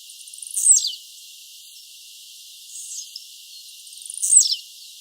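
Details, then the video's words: Blue-black grassquit singing in the wild: two loud, explosive high buzzes about three and a half seconds apart, each falling quickly in pitch, with a softer faint note between them. "Tiziu cantando solto na natureza!"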